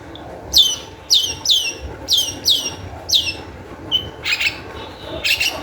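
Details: Long-tailed shrike song played as a lure to get other shrikes singing: loud descending high whistled notes given about once a second, followed by a few harsher noisy bursts.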